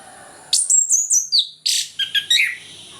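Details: Lively morning ngeplong of an orange-headed thrush, used as a stimulus for reluctant singers: a run of about five clear, descending whistled notes, then a fast, jumbled string of chirps and twitters.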